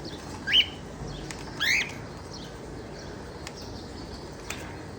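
A cockatiel gives two short, rising whistled chirps about a second apart.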